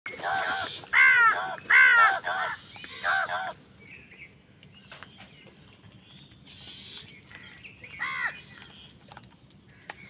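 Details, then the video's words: Angry crow cawing while wild birds fight with crows over food: four harsh, ringing caws in the first three and a half seconds, then quieter faint calls and a single caw near eight seconds against low background hiss. "Wild birds fight with crows for food | Crow bird unity anger and sund | Angry kawa ki awaaz"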